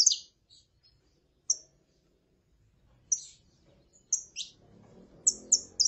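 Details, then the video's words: Saffron finch, with a female calling and a male singing: sparse high, sharp chirps, single and paired, separated by gaps, with a faint low rumble rising near the end. "CANTO DE FÊMEA PARA ESQUENTAR CANÁRIO DA TERRA (FÊMEA CHAMANDO E MACHO CANTANDO)"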